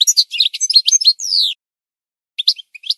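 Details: Singing goldfinch used as a training recording: rapid jumbled high twitters, a drawn-out falling buzz, a pause, then a few scattered chirps.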